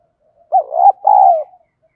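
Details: Field-voice spotted dove song, a lure to provoke fighting: a dipping then rising opening coo joined to a longer hollow note, then a steady coo that drifts slightly downward, clean and close.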